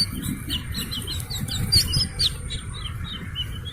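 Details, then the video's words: Slaty-legged crake chick giving a brief run of high, thin peeps. One or two sharper, louder notes stand out near the middle, over a low droning background. "Suara anak Burung Sintar MP3 || Slaty-Legged crake"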